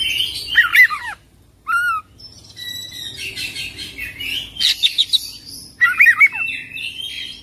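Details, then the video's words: Oriental magpie-robin with scattered song phrases: a twisting whistled note, a short downward slur, soft high sustained tones, then a burst of rapid twittering notes. "Kacer Full Isian ngerol gacor dorrr"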